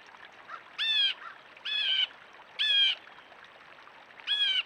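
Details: Blue jay in a backyard giving harsh, nasal squawks, four evenly spaced jeers roughly one per second, each with a raspy buzzing tone, over a steady background hiss.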